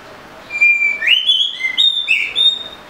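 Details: Oriental magpie-robin, called murai kampung, singing a short phrase of clear whistled notes: a steady high tone, then upslurred and level whistles stepping between pitches, ending in a brighter burbling note.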